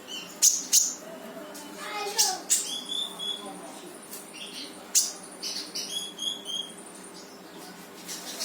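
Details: Brown-throated sunbird, locally konin, singing 'full tembakan' style to coax a quiet bird into song: rapid sharp high chirps and thin whistled notes in quick succession, loud sharp bursts near the start and middle, constant faint hiss.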